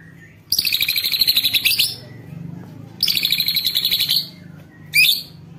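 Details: White-rumped shama song played as a lure to prompt other shamas to sing: two long harsh buzzy rattling bursts, then a brief sharp note near the end.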